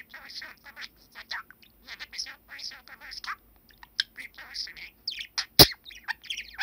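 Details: Pet male budgerigar, seven years old, recorded indoors on 21 December 2019, chattering in imitation of human speech while a little nervous of the camera: a rapid stream of short scratchy, warbled syllables with brief gaps and one sharp knock.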